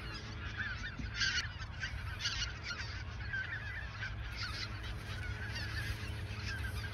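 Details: Autumn 2022 goose flock at the Ochsenmoor nature reserve shortly before migrating south, many birds honking in overlapping bursts above continuous low wind rumble.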